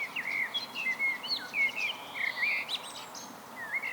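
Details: Common blackbird singing alone, with rich fluted phrases that twist up and down and a brief higher twittery flourish in the middle, then a final warbled rise.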